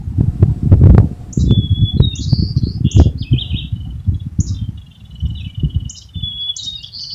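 White-crowned Sparrow song: a clear whistled opening note followed by buzzy, slurred trills, high-pitched and repeated, over heavy low rumbling and handling noise.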